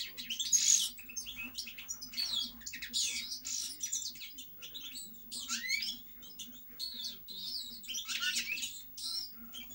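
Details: Goldfinch singing a fast, liquid stream of twittering and tinkling notes mixed with buzzy chirps, nearly unbroken across the recording, over a faint constant low hum.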